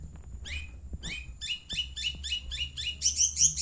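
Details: Madura long-tailed shrike singing steadily: repeated downslurred whistled notes, roughly three per second, growing louder and harsher toward the end, over a faint low hum.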